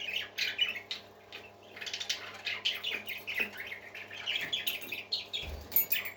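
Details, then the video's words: Happy parakeets warbling almost nonstop, a dense blend of raspy chirps and squeaks with small peaks throughout, a low thump near the end, hum in the background. "Happy Parakeets Singing"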